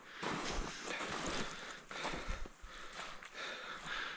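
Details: Wind and water noise buffet the microphone throughout, with no animal calls audible.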